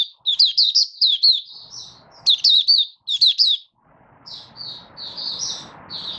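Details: Caged Malaysian Oriental white-eye singing, not yet in form: rapid high twittering phrases of short bright notes with quick rises and falls, in bursts, then thinner repeated chirps over faint background hiss.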